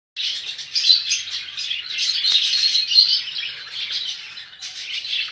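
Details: Budgerigars kept for sale, a flock chattering together: dense, continuous warbling and chirping in a high register with quick twittering notes overlapping throughout, indoors with no other clear sounds.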